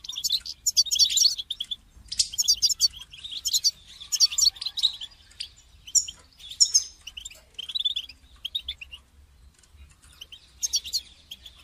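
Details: European goldfinch call played to encourage a caged goldfinch to sing, heard as continuous liquid twittering and tinkling high chirps in rapid runs, with brief gaps and a faint low hum beneath.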